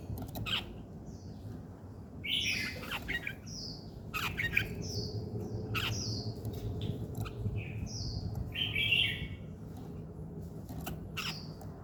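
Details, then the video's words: Birds singing in the morning: short high chirps and downslurred whistles repeat throughout, broken by louder harsh, squawky bursts and sharp clicks over a steady low background hum. "Buổi sáng nghe chim hót chơi"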